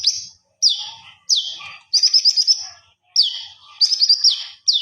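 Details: Common iora singing strongly with flared feathers, recorded as a master for training: loud descending whistled slurs about every second, alternating with short rapidly warbled phrases, on a quiet background.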